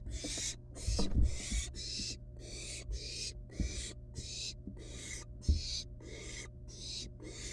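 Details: Wild barn owl nestlings handle a live rat brought to the nest. A continuous train of breathy, noisy hisses runs throughout, mixed with low bumps and scraping sounds from the struggle.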